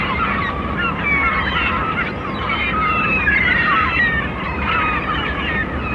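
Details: Several gulls flying over the sea give overlapping nasal, mewing cries that rise and fall at a quick, uneven pace over a steady roar of wind and surf.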